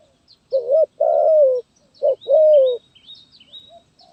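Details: Gagap Tindan (Sepatah) style song of a zebra dove from 23 January 2022. Two short-then-long coo pairs, the long notes trilled and gently descending, with faint high chirps of other birds behind.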